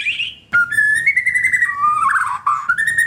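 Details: Caged White-rumped shama singing as a lure for birds that have gone quiet: a long unbroken whistled phrase that wavers between two pitches, ending in a rising slur.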